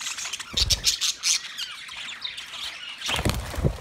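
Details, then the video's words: Several budgerigars, an Australian parrot, on 13 March 2024, giving bursts of harsh squawks and quick chirps separated by a quieter stretch of soft chatter. "Beautiful Australian Parrot sounds Budgie Sound"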